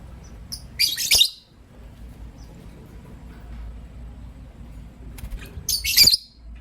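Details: Two bursts of shrill, scratchy chirping from lovebirds, green Personata and pastel white, in the morning, about five seconds apart, with near silence between apart from low hum.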